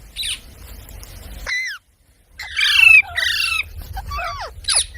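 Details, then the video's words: A parrot utters a rising whistle, then a sudden silence, then a harsh buzzy squawk followed by sharp downward-sweeping calls. "Parrot Sounds"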